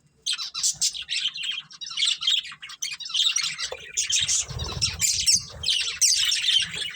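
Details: Budgerigar breeding pair chirping: dense, scratchy warbled chatter of quick high tweets and squeaks, almost continuous, with a brief low rumbling thud near the middle.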